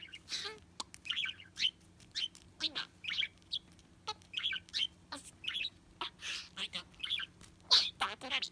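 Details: Pet budgerigar chattering indoors, the recording shared to help search for a lost bird: a steady run of short warbled chirps and clicks, mostly high-pitched, coming in quick bursts about every half second with brief gaps.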